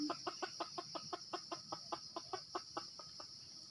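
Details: Wild red junglefowl being lured with a decoy in Sumatra gives a steady series of short, hard clucks, roughly four a second, against a constant shrill insect hum.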